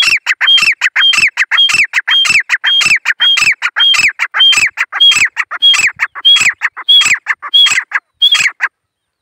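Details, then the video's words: Grey francolin giving a long, loud run of harsh, ringing phrases, repeated almost twice each second, each tipped with a sharp high whistled note, stopping abruptly near the end. "Gray Francolin Bird king#teeter boli karte hue"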